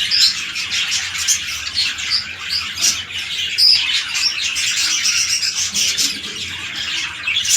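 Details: Breeding budgies, red-eye lutinos with a large male and small female, kept in captivity; lively high twittering and chirping with several piercing whistled notes.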